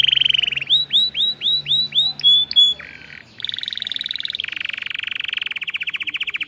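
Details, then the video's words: Canary song from a breeding room: a sequence of arched, repeated notes, a short low buzz, then long fast rolling trills. "O CANTO desse CANÁRIO"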